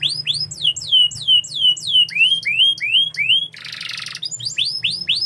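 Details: Canary in full song, rapid repeated downward-swooping whistles about three per second, shifting to rising notes, broken by a short harsh buzzy rattle before the swoops resume.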